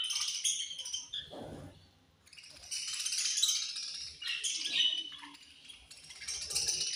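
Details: Many budgerigars chattering together at food time, a continuous dense high twittering with rattling, chime-like overtones and a brief quieter gap midway.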